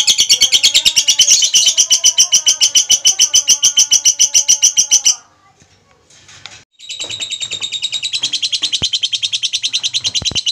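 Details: A female lovebird gives long, shrill chattering: fast, even high-pitched ticking bursts with soft lower warbles, a brief pause with quiet clicks, then the rapid chatter resumes.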